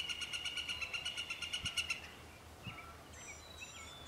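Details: Northern flicker at Vernon Marsh giving a rapid, even series of about fourteen ringing harmonic notes over two seconds. Fainter calls of other birds follow, with light background noise.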